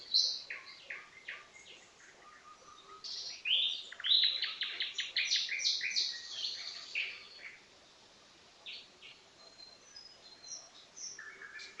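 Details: A nightingale pours out a varied, busy song of chirps, sharp rising notes and short whistles, with a dense burst of rapid notes in the middle and quieter scattered phrases toward the end.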